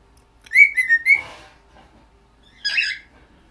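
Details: A cockatiel whistles a learned tune of three quick, clear, mid-pitched notes, then gives a short raspy chirp.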